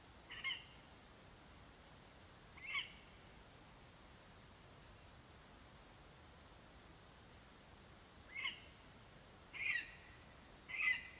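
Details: Lesser spotted eagle male calling for his absent mate after bringing a vole to the nest, Latvia, 11 September 2021: sharp yelping notes, two early ones, a long pause, then three closer together near the end.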